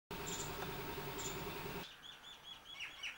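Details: Shikra in India calling a quick series of sharp, high, evenly spaced notes, about eight in just over a second, after a stretch of steady rushing background noise with a couple of faint high chirps.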